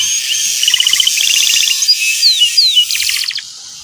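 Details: Energetic canary song used as a lure to teach a young canary to sing the chattering 'ngeriwik' style, with 'cuit cuit' notes: rapid high trills of repeated notes, then quick sliding whistles and a final fast buzzy trill.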